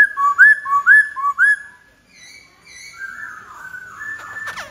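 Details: White-browed laughingthrush: three quick paired whistles that rise and then drop, followed by long, drawn-out level whistles that step down in pitch and end in a short scratchy flourish.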